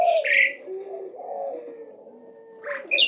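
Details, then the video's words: Asian pied starling singing nonstop and fearlessly, continually challenging, opening with a harsh buzzy burst, then low mellow warbled notes wandering along, ending in a rough chattering phrase. "Jalak uren gacor tdk takut Menantang terus BUNYI NONSTOP"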